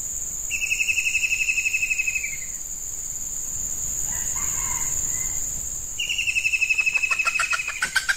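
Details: Female red junglefowl used as a decoy to lure wild males during hot breeding-season weather. She gives a fast, even trill of high repeated notes, about four per second, lasting nearly two seconds, then starts again, over a steady insect drone.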